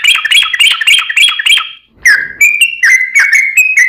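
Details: Sooty-headed bulbul in a fast, pause-free song mixed with Straw-headed bulbul phrases, played to train and provoke caged birds: quick bright chirps, a short gap, then longer clear whistled notes, each held briefly.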